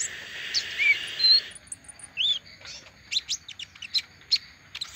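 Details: Olive-backed sunbird after moulting: a brief hiss with short whistled slurs at the start, then a string of sharp, spaced high chips.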